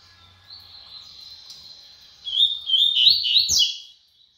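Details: Double-collared seedeater, brown-plumaged, singing at speed: a faint sustained high tone leads into a rapid run of zigzagging, chattering warbled notes lasting about one and a half seconds.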